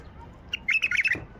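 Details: White-eared bulbul in the wild, a bird caught by hand, giving a short bubbly phrase of quick warbled notes at a mid-high pitch, lasting about half a second over faint background noise.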